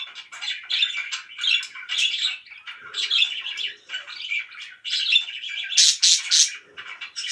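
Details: Very loud pet budgerigars chattering in rhythmic bursts of buzzy, squeaky warbles, ending with several piercing high chirps.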